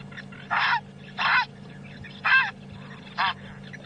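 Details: Grey heron at Djuma Game Reserve, South Africa, on the morning of 30 April 2015, giving its rarely heard call: four harsh, hoarse squawks about a second apart, a high shrill start then deeper grunting, over a steady low engine hum.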